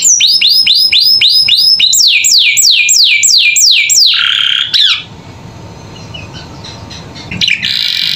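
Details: Canary filler tutor song for young captive birds learning sounds: rapid ringing upswept notes repeated about three per second, a short buzzy harsh note, near-quiet hiss, then a brief noisy burst at the end.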